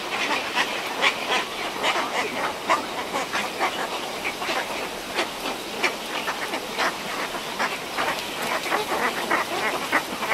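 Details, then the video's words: A pair of cattle egrets in a colony at Antananarivo Zoo, Madagascar, give harsh, croaking, nasal calls in quick overlapping bursts, with the continuous chatter of the busy colony behind them. "Cattle Egret Call / Cattle Egret. Calls From Pair In Colony"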